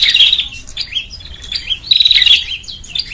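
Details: Bar-winged prinia (prenjak) call used as a lure to draw birds in; high, thin chirping phrases near the top of the range, with rapid trills and a buzzy burst, repeated in short bouts over about three seconds.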